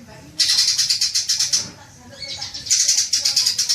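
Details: Green magpie lure call for prompting long chattering: two bursts of quick, scratchy, high rattling notes separated by a brief quieter gap.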